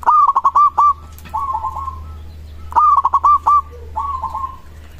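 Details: Local zebra dove song meant to prompt replies from other doves: two pairs of phrases, each a loud rapid run of clipped coos followed by a softer rolling trill, against a steady low hum.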